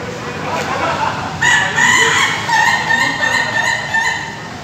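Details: Ayam Ketawa rooster at a group practice event in Bogor, Indonesia: after a quiet start, a long crow begins near halfway, broken into several sustained, slightly wavering notes over low crowd murmur.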